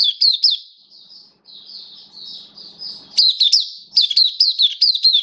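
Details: Caged oriental white-eye kept as a hobby songbird, recorded 11 September 2022 while in slightly reduced form, singing in the buka (opening) style: high, sweet twittering phrases of quick rising-falling chirps, a softer warbling passage, then renewed bright chirp bursts.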